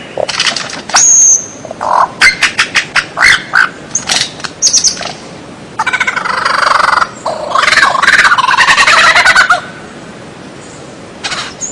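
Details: Masteran recording of a white-rumped shama for tutoring caged birds, its song called unusual: quick repeated chips about four per second, a high thin whistle, then extended harsh buzzy, rattling phrases before a brief closing note.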